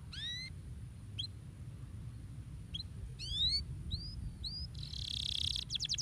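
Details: Canary song, used to stimulate other birds to sing: bright upward-sweeping whistles and short chirps, then a hissy burst and a quick buzzy trill at the end, over a constant low hum.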